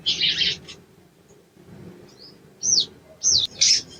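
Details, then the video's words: Sogon, ijoan type, used as training audio to get birds singing quickly: a scratchy, chattering burst, then several high, slurred whistles that rise and fall, spaced about half a second apart. "TERAPI BAHAN SOGON IJOAN CEPAT BUNYI"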